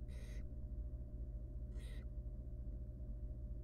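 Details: Barn owl nestling, wild, begging from its mother while trying to eat a large rodent in a nest box: two short rasping hisses roughly 1.5 seconds apart against a persistent low hum.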